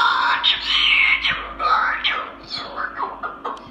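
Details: Male Moluccan cockatoo kept indoors, vocalizing suddenly late at night in a dark room with the lights out, like a conversation with a devil: raspy, speech-like phrases with sliding tones and short pauses, then a few final words.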